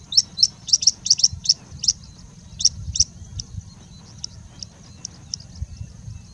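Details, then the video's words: Singing bushlark in India in sustained song mixing in imitations of Indian robin, pied bushchat, plain prinia and common woodshrike: a rapid burst of sharp, very high chips that slows into sparser, softer notes, with faint low rumble beneath. "Singing Bushlark singing and mimicking for more than three minutes straight"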